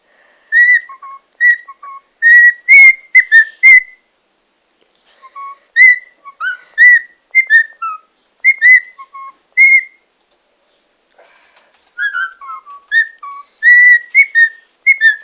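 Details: A cockatiel whistles a learned tune, the Muppets theme, in clear, rhythmic phrases of short rising and falling notes.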